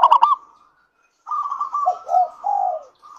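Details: Singing local zebra dove, used to coax other doves to sing: a few quick clipped notes and a faint coo, a short silence, then a soft purring coo phrase with three low swooping notes.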